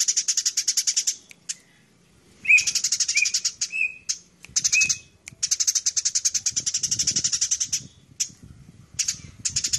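Tree sparrows trade fast, harsh chirping chatter in bursts of one to three seconds, with a few lower sharp notes, as heard when sparrows fight.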